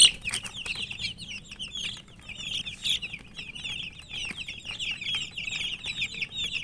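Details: Many coloured baby chicks of the chicken, with a hen, peep busily together: a dense, continuous chorus of high, short cheeping notes overlapping throughout, with a few soft wing flutters.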